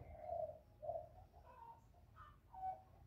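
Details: Spotted dove, known locally as cu gáy or cu đất, giving a loud cooing call meant to stimulate kept doves. Two deep, soft coo notes open, then fainter, slightly higher coos follow. The background is quiet.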